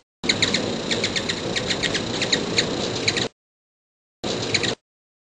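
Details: A hummingbird recorded up close gives rapid, high, thin chips, roughly four a second, over a broad hiss of background noise, then a brief second burst.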